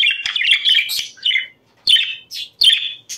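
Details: Budgerigar warble to stimulate breeding; a quick run of bright chirps and trills, then separate short squeaky calls spaced by brief silences.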